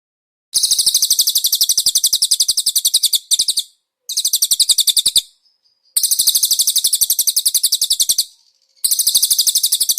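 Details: Cage-bird training master of konin singing cililin fillers; high, quick-fire trills in several bursts with short breaks, a faint drawn whistle between two of them, light ticking below.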